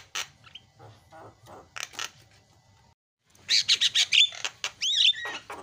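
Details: Javan myna, noisy isian tutoring song: soft, scattered rasping notes with a short silence, followed by a loud burst of harsh chattering squawks and slurred descending whistles.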